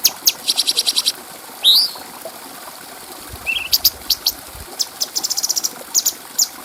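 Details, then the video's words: Cucak cungko bulbul singing clearly as a master for training other birds: a short chip trill, one rising whistled slur, a low brief warble, then scattered high chips and a quick ticking run. "Masteran Burung Cucak Cungko Suara Jernih"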